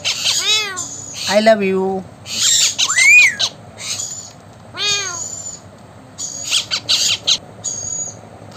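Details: Talking blue Indian ringneck parakeet producing drawn-out, curving, mewing whistles and grating squawk bursts, with the spoken phrase "back off" nearby and brief high chirps scattered between.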